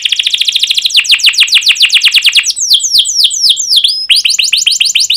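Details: Canary song for encouraging other canaries to sing: a steady stream of rapid, repeated downward-sweeping chirps that slow into widely spaced, ringing 'cuit' notes before speeding up again.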